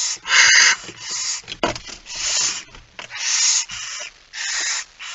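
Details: At a barn owl nest in the evening of 6 September 2019, when the male delivers the first mouse, a series of loud, rasping hisses in half-second bursts, with scattered clicks and knocks between them.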